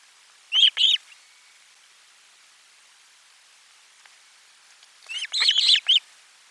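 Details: Lunchtime fish delivery at an Osprey nest on 12 July 2022. A pair of sharp whistled yelps, then about four seconds of silence, then a louder cluster of overlapping chirps.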